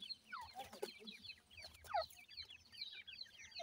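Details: Francolin chicks being fed by their mother, calling to her: rapid high, thin descending peeps overlap in a busy stream, with a few louder, lower notes and soft clucking beneath.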